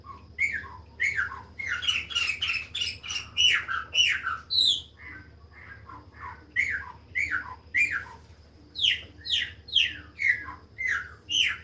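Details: Chopi blackbird in long, varied song, with rapid bursts of harsh, chattering notes alternating with clear, down-slurred whistled phrases repeated in quick series, and a low constant hum in the background.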